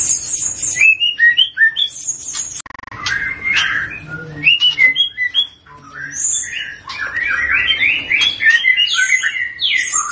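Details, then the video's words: Juvenile Medan white-rumped shama singing strongly, ngeplong gacor: rich, varied whistled and warbled phrases tumbling up and down, with high bright notes and a dense, rapid, rambling passage near the end. "Murai medan masih paud ini sudah ngeplong gacor"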